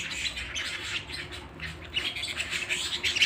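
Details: ['Indoor canary song: quick high warbles, then sharper whistled chirps and ringing trill notes that get stronger in the last second.']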